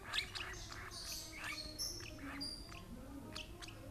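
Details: Lovebird being fed beak-to-beak by an older sibling from the same parent pair: short, high, scattered chirps and tweets recur through the clip over a low background hum.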